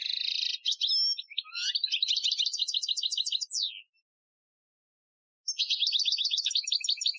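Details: European goldfinch, Algerian training song, 2015: a long continuous outpouring of quick twittered and trilled notes with a falling slur, silence, then another rapid twittering phrase.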